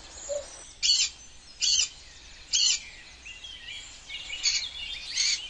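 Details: Early-morning wild cockatoo: three loud, grating screeches spaced under a second apart, then softer scratchy notes and twittering from other birds in the dawn chorus.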